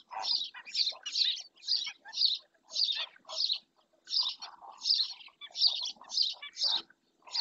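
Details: In Doñana park a black-winged stilt repeats piercing, hoarse yelps nearly twice a second for several seconds, with short pauses between phrases of three or four notes.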